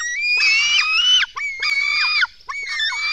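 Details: Lesser spotted eagle nest at feeding time, 04:53 on 24 June 2016: eagle nestlings give harsh, screaming calls in three drawn-out bursts about a second each, with high overtones and brief gaps.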